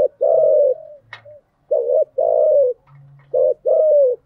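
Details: Lure-calling spotted dove: three pairs of coos, each a short clipped note followed by a longer, slowly falling one, with brief gaps between pairs; a faint low hum and one click are also audible.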